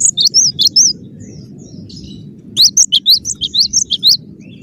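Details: Cinereous tit singing in a dense, tight style: quick two-note high whistles repeated in a rapid string, a pause, then a longer run of alternating rising and falling notes, over a low steady hum.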